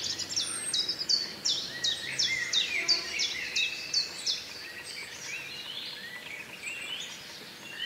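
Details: Black kite uttering a brisk, regular sequence of shrill, falling notes, roughly three per second, which fades away in the last seconds over steady background noise.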